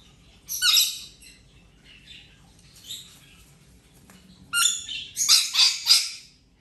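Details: Playing Rainbow lorikeet during a ten-day recovery from injury: loud rasping screeches, a sharp burst near the start and a rapid cluster of grating squawks toward the end, with softer chatter between.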